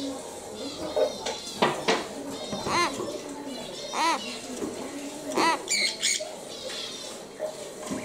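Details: A three-month-old common hill myna chick, not yet able to talk and of unknown sex, kept indoors, gives short harsh nasal calls with stacked harmonics, several spaced across the recording, over low room hum.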